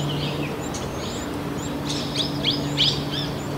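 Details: Small minivet in the forests of Narsapur, India, in thorn scrub; thin high sweeping whistled notes scattered and clustering toward the end, over steady background hiss and a low hum.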